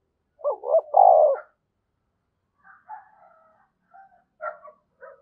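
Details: Decoy spotted dove cooing to lure wild doves: a loud phrase of two short rising notes and a long throaty coo, followed by quieter broken coos and a few higher notes.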